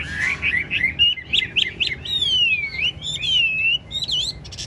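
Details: Caged Chinese hwamei, a large-bodied bird of the 'ngũ trường' song style, singing while nodding and performing a lion-dance display: rapid varied whistled phrases, sliding and looping notes, bright rising and falling runs.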